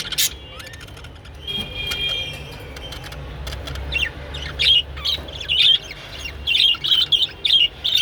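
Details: Japanese budgerigars mating: courtship chatter, a burst of short scratchy high chirps and squawks, quick and uneven, after a quieter start with a faint steady tone and background hum.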